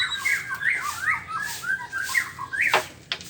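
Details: Morning song of a white-rumped shama (murai batu): a run of clear, mid-pitched whistled slurs, each bending up then down, closing with a couple of sharp clicks.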